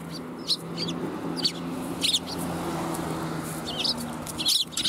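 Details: Sparrows gathering to be fed at a Tenmangu shrine, New Year's Day 2021, giving brief high chirps in small bursts, a few rapid notes near the end, with a low steady hum behind.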